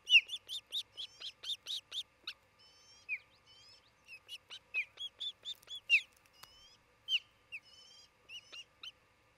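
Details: Osprey at a nest camera in Charlo, Montana, near midday on 27 June 2018; a quick run of sharp, whistled chirps, each slightly falling and repeated several times a second, with brief pauses between bursts.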